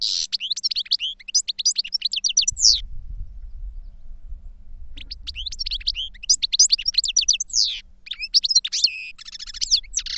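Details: Goldfinch singing in two bursts of rapid, high twittering notes with sweeping chirps and buzzy trills, separated by a pause of about two seconds; faint low rumble underneath.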